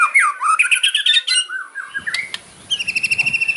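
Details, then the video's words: Kretekan fighter song of a white-rumped shama with sharp, provoking fills: a quick churring chatter, a few slurred whistles, then a fast evenly repeated series of high clear notes over faint low background noise. "KRETEKAN MURAI KERAS FIGHTER ISIAN TAJAM BIKIN LAWAN EMOSI"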